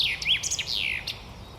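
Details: Male common chaffinch in spring in an urban forest, perched on a branch lower than a thrush, sings a brief burst of bright, high chirping notes sliding into a quick descending phrase, over faint background hiss.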